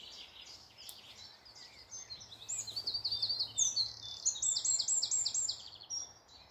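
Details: Woodland near Malton, North Yorkshire, in the morning: a chorus of birds with sharp, high, repeated whistled notes and fast trills, building to a loud, close series mid-way before easing off.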